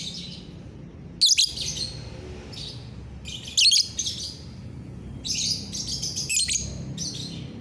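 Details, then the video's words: Lovebird in morning song, 30 November 2021: sharp chirp-led bursts of high twittering, then a longer stretch of raspy chatter, low hum in the background. "GACORAN LOVEBIRD"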